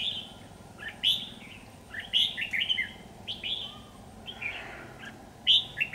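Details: Red-whiskered bulbul filmed with an AX40 4K camera, giving repeated short bubbly phrases with bright chirped accents and brief gaps, against a continuous low rumbling hiss.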